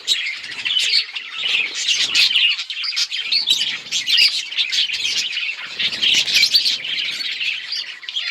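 Several budgerigars chatter at once, a steady high-pitched stream of quick chirps, squeaks and warbled twitters with no pauses.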